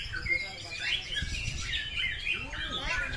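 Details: Shama song pitting a fancy, bowing bird against one with a sharp, thunder-like voice: quick bright whistles and trills in a busy overlapping stream, a low human voice murmuring near the end.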